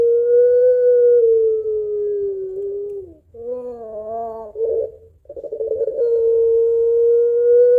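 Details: Barbary dove calling its mate in a long, drawn-out voice: a sustained, steady low coo held for about three seconds, then a wavering broken middle section, and another long even coo at the end. Quiet background.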